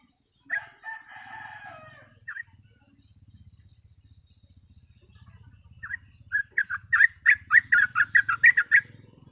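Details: Sooty-headed bulbul with 'ropel' singing for luring. A harsh drawn-out chatter opens, followed by scattered chirps, then a fast run of bright notes. A low pulsing hum runs underneath.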